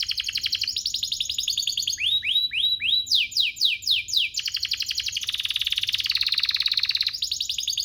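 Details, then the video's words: Singing domestic canary meant to trigger other canaries, alternating fast rolled trills with series of rising and falling swoops, then a long steady buzzy roll. "Pancingan ini EFEKTIF BANGET, burung kenari lain langsung terpancing untuk GACOR"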